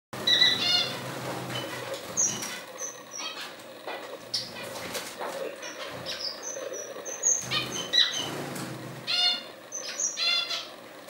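A whydah gives bursts of high, scratchy chirps and short thin whistles, some in quick rattling runs, with soft flutter-like rustling beneath.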